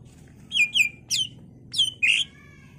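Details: Greater green leafbird song used as a lure for others of its kind to reply: five sharp, bright whistled notes, mostly falling, the last a longer buzzy slur trailing into faint overtones, over a low background hum.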